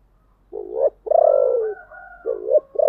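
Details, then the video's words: Decoy spotted dove calling to lure wild doves; a short coo, a long deep falling coo, then two more quick rising coos, all low and husky. "tiếng kêu của chim cu gáy âm thanh rất chuẩn để kích bổi/ Tiếng Chim Cu Mồi Gáy Gọi Ồm Ồm"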